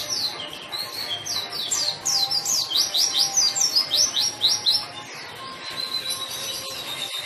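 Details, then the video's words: Lively white-eye song meant to coax silent white-eyes into singing and to teach them: dense, fast, high twittering made of many quick down-slurred notes in varied phrases, over a faint steady hum. "burung pleci gacor!!! efektif untuk pancingan dan masteran pleci yang malas bunyi"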